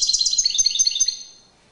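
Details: Caged European goldfinch singing in courtship display: a rapid run of bright, high twittering notes about a dozen in a second, rippling and slightly descending, then fading out in a quiet room.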